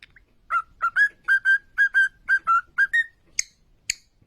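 A cockatiel sings a run of clear, rising whistled notes, then two sharp chirps.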